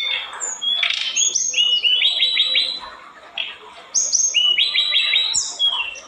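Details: Olive-backed tailorbird, described as highly vocal and as provoking other birds of its kind, gives a high, varied chattering song: quick runs of sharp repeated chips and short whistled notes in bursts, pausing briefly midway.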